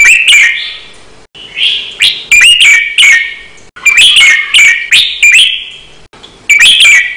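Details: Red-whiskered bulbul in a Thai training-song recording giving loud, bright whistled phrases in quick doubled bursts, about one phrase every two to three seconds, with short pauses between.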